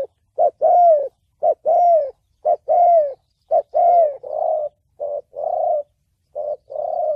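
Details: Spotted dove call used for trapping and training decoy birds, in the thổ bầu voice style: deep, hollow coos in short-long pairs, a clipped note then a longer descending coo, repeated about once a second with brief pauses.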